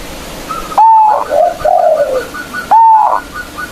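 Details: Local zebra dove with a big voice, a lure for provoking rivals: two loud whistled onsets about two seconds apart, with softer wavering coos between them and faint higher notes.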